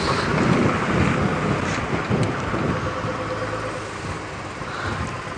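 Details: Only a broad, rushing rumble like a vehicle or rain is heard, with no animal calls.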